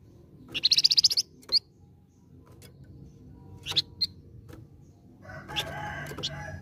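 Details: Golden-headed cisticola lure song delivered vigorously: a brief high buzzing trill, scattered sharp chips, then a noisy rustling passage with low hum near the end.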